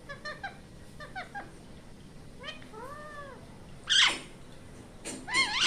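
Indian ringneck parrot giving a few quick chirps and two arched, mewing calls, then two loud, harsh screeches near the end.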